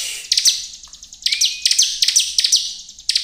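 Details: Bar-winged prinia lure song aimed at provoking rivals: bright, high chirps in quick series with one thin rising whistle in the middle.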